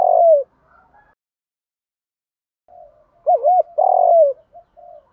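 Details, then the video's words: Training lure of a spotted dove cooing. A long falling coo is followed after a pause by a soft murmur, a twisting two-note coo and another drawn-out descending coo, with faint low notes trailing. "tiếng chim cu gáy tập bổi nhanh nổi và hiệu quả, tiếng thúc gù, gáy gọi, luyện mồi gáy theo sung mãn"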